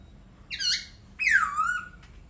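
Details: A laughingthrush gives a harsh squawk, followed by a long, nasal note that slides down and fades.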